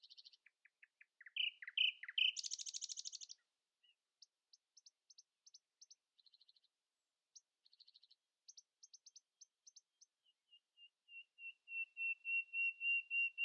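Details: Early-morning song of a common nightingale outsinging rivals: varied slurred notes and a loud harsh burst, then sparse high ticking notes, ending in a long crescendo of repeated pure whistles that grow steadily louder.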